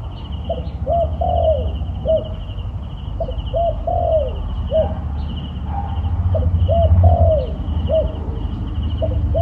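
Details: Wild turtle dove near a trap, cooing in short repeated phrases of soft, low, hollow notes with brief pauses between groups, over a steady high insect-like drone and a low rumbling background.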